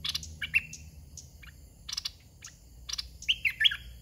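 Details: Red-whiskered bulbul used as a caged decoy for luring wild birds, with scattered sharp clicks and short notes, then a fluid rising and falling whistled phrase near the end.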